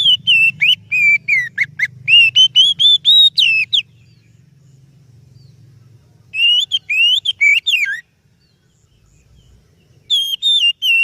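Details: Lure song of the oriental magpie-robin (kacer). Two long volleys of rapid, ringing whistled notes are broken by a quiet gap, and a third phrase begins near the end. A low droning hum sits under the first part.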